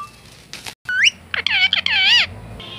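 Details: Rose-ringed parakeet talking, producing speech-like phrases: a rising squeaky note, then a run of harmonic, wavering, voice-like syllables, with a faint steady hum behind.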